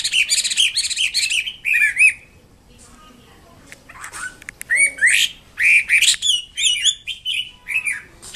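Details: Vigorous song of a wambi kembang mandarin bird: dense bursts of looping, slurred whistles and chattery notes, a short pause, then another lively run of twisting phrases.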